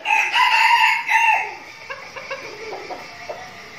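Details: Red junglefowl decoy rooster in training with a flock in Bình Phước, Vietnam. A loud crow opens in two harsh rising and falling phrases, then gives way to a series of soft, low clucks.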